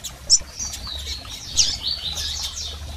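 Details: Double-collared seedeater calls of females and males to stimulate a male: a sharp high chip, then thin sliding whistles and another loud chip, followed by softer twittering, over a quiet low rumble.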